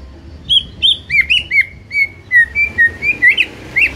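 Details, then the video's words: White-rumped shama singing a lively series of loud clear whistles, some sliding downward, about a dozen notes in four seconds, over a faint low hum. "MUTAI BISU SONTAK NGAMUK PLUS GACOR KOAR KOAR"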